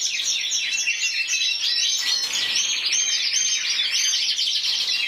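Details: Canary, intense yellow, champion of Spain 2014 with 94 points, producing nonstop high chattering trills and warbled phrases with steady loudness.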